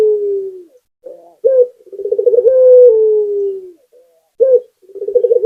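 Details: Low cooing from a local puter, Barbary dove, singing gacor as a lure for other birds: a fading coo tail, a soft note, then a sharp coo, a bubbling roll and a long smooth descending coo, and another phrase beginning.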